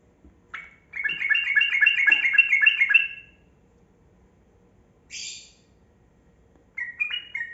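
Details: Yellow-vented bulbul of the kebo type in long rapid 'ropel' song, used as a lure to make quiet bulbuls sing: a bubbling two-second run of stepped liquid notes, a brief high rasp, then a short closing phrase.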